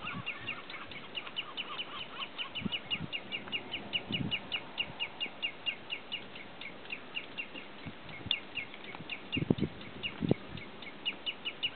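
Common redshanks give a fast, steady stream of sharp, high piping notes, about four a second, during a fight, with a few low thumps and bumps underneath.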